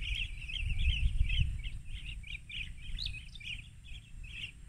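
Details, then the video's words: Several rufous-crowned bee-eaters in Banna, Ilocos Norte, Philippines, on the afternoon of March 19, 2021, recorded by phone through a spotting scope. A dense, continuous stream of short, trilled chirps sounds over a strong low background rumble. "Rufous Crowned Bee-eaters"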